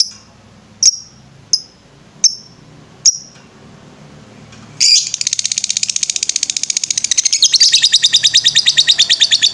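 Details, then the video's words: Lovebird master recording for training birds: four isolated sharp high chirps spaced under a second apart, then a sudden burst into a long, fast, buzzing ngetrek trill that keeps going. "MASTERAN LOVE BIRD NGETREK"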